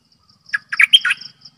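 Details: ['Decoy bulbul giving one brief phrase of four or five chortled, liquid notes with a sharp whistled peak in the middle, with a faint high buzz before and after.']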